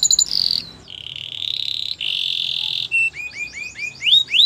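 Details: Canary training song with a falling opening note, long steady buzzy rolls, then a string of upward-swooping chirps repeated several times a second.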